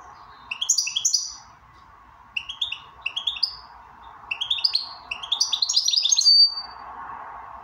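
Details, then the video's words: Goldfinch 'bell ring' song: several short runs of sparkling, ringing twitters, each a quick rising cascade, ending in a longer, denser phrase with a thin drawn-out note, over constant background hum. "bell ring Switty goldfinch."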